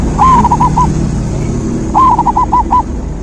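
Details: A zebra dove sings, offered as natural therapy to restart a dove that stopped singing: two clear phrases, each a rising opening note followed by four or five bouncing coos, with a low hum beneath.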